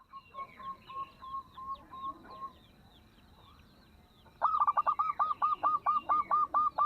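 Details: Local zebra dove with a small voice, used as a lure to make other doves sing along: a soft run of short coos, a quiet pause, then a loud, fast burst of about a dozen stuttering, rolling coo notes.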